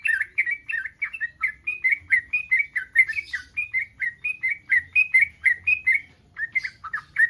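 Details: Yellow-vented bulbul in breeding condition, calling to draw responses from other bulbuls: a continuous string of short liquid warbled phrases, closely spaced and steady throughout, with faint low hum beneath.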